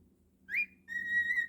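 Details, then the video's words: A pet cockatiel whistles twice indoors: a quick rising note, then a long, steady, pure tone held for about half a second. A low electrical hum runs underneath. "Naughty Cockatiel whistling and being cute"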